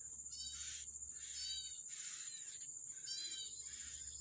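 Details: Wild yellow-bellied prinia at the nest feeding young, giving three or four rapid bursts of buzzy, stacked harmonic notes, each under half a second, against a continuous shrill high-pitched drone.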